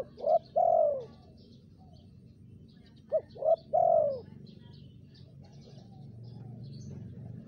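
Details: Spotted dove lure call: two phrases of low coos, each a short note then a longer downward-curving coo, separated by a pause of about two seconds over faint background hum.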